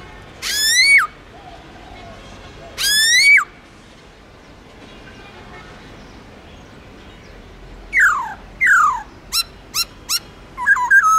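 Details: Forest-style song of a black-throated laughingthrush, long and flowing, meant to stir wild-caught birds to sing. Two loud upswept whistles ending in a drop, a long pause, then steep falling slurs and quick short notes.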